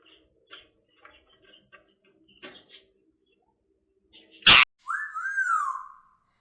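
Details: Female Indian ringneck parrot kept as a pet, at play with her favourite toy: faint clicks and taps, a sudden loud knock, then one drawn-out whistle that rises and slowly falls away.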